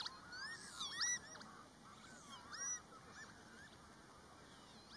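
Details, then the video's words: Breeding colony of pied avocets, aggressive in mating season and chasing black-tailed godwits: fluid, rising and falling whistled calls from several birds, loudest near the start, then fading into a constant hiss. "Pied avocet colony - De kluut vogel"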